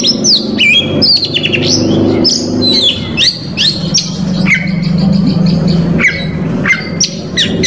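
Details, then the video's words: Oriental magpie-robin in full varied song to provoke rival males, pouring out rapid mixed phrases: sharp whistled sweeps, slurred notes and quick chirps in bursts, over a steady low background hum. "KACER COR DOR BONGKAR ISIAN PAS UNTUK MEMANCING KACER LAWAN"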